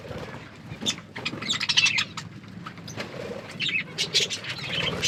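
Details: Budgerigars at their food, playing, producing scattered thin tweets and short squeaky chirps over a quieter background, with a few louder bursts spaced irregularly.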